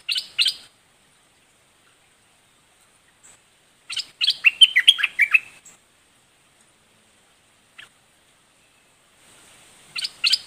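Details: Red-whiskered bulbul in dok taeng song style: short bursts of tumbling, slurred whistled notes about every four to six seconds, with quiet gaps between phrases.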